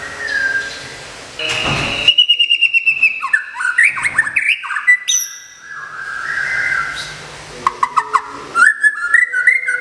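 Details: Caged white-rumped shama, a contest champion from Kebumen, Indonesia, singing during moult care: loud, varied phrases of rapid chattering notes, rising and falling whistles and sharp squawky bursts running almost without pause.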